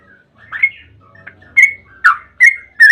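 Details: Yellow-vented bulbul singing in the rapid 'ropel' manner, meant to provoke bulbuls into song: a quiet, hesitant start with soft notes, then four strong whistled phrases, bright and slightly falling, spaced about every half second.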